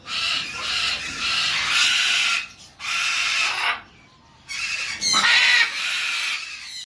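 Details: Green-winged macaw uttering long, loud, harsh screeching squawks in three drawn-out bursts separated by brief pauses.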